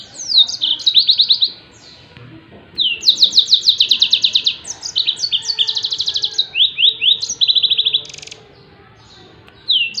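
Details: Yellow-fronted canary tembakan song for tutoring songbirds: three separate bouts of fast, high, repeated notes and buzzy trills, divided by quiet gaps of about a second or more.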